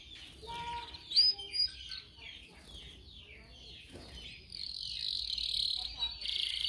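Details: Canaries singing for training purposes: irregular, mixed high twitters and short notes, followed by a sustained buzzy high roll, with faint low background rumble throughout.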